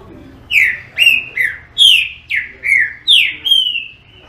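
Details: Green-winged saltator singing: a phrase of about eight loud, clear whistled notes, each sliding downward, delivered roughly every half second over a quiet background.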